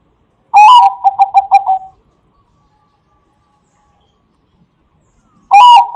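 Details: Bangkok perkutut zebra dove singing, a lure for other doves: a loud phrase of a rising note and six quick pulsed coos, then silence before the next phrase begins about five seconds later.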